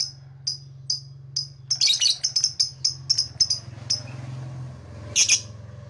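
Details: Blue black-masked lovebird giving evenly spaced thin chirps that break into a rapid cluster of sharper notes, then a harsh burst, with a low hum beneath.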